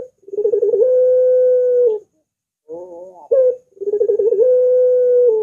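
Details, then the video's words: Puter dove used as a tutor and lure recording for other doves. Its voice is described as long and curving. A stuttering run of pulses leads into a long, steady, low coo. After a pause, a short wavering note comes, then the pattern repeats. "Masteran Burung Puter !! Suaranya Melengkung Panjang"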